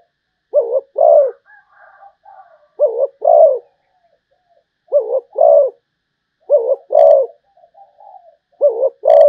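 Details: Malaysian zebra dove song of rolling, bubbly coos in double notes, repeated about every two seconds, with softer trailing notes between phrases.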